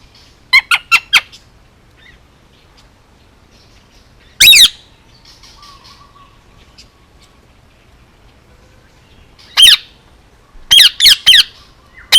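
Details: Male Indian ringneck parakeet, almost two years old, hand-raised on Oahu, Hawaii, gives a quick burst of four harsh squawks, then a lone loud screech, and later a rapid string of sharp, piercing calls with quiet gaps between.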